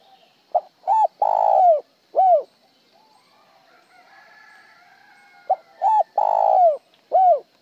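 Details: Spotted dove song in styles known locally as 'một hậu' (single tail note) and 'trơn' (plain). Two full phrases: brief note, double coo, long falling coo, then a short separate closing note. Quiet bird twitter behind.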